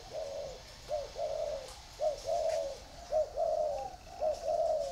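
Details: Spotted dove in a cage, one of two birds housed in a round bamboo cage and an iron cage, cooing a steady series of low, mellow two-part phrases, about one per second.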